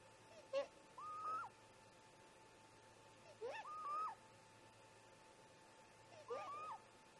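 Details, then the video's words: Great grey owl parents exchanging calls near their snag nest before dawn, about 04:25: three rounds of a brief upward whoop followed by a longer level wail, spaced roughly three seconds apart, with a constant faint hum. "Great Gray Owl - Parents Have a Talk"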